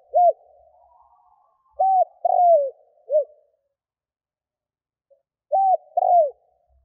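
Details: Spotted dove kept as a lure for wild doves, cooing in two phrases separated by a pause: arched hoots, then a drawn-out descending coo and a final short coo, mellow and clean.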